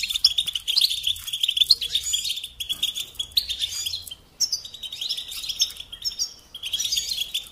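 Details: Goldfinch song used to train songbirds: long runs of rapid twittering and buzzy trills, interrupted by a short break before continuing at a steady pace.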